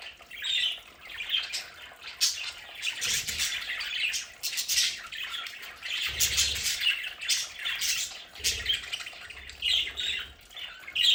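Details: Pet budgies at home in their play area keep up lively warbling chatter with sharp squawks and quick chirps. Occasional short low thumps are heard.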